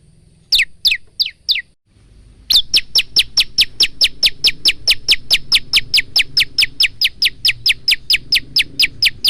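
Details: Bar-winged prinia, an energetic male in full song, recorded on a phone for training cage birds: a few loud high notes, a pause, then a long steady series of sharp downslurred chips, about two per second.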